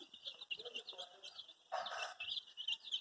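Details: Colour-dyed baby chicks calling as they look for their mother: rapid, high, shrill peeps overlapping continuously, with a brief louder, harsher burst partway through.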